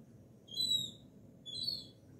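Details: Gull chicks that come to a kitchen door asking for salami: two thin, high, whistled notes about a second apart, quiet and slightly wavering, with faint low background rumble.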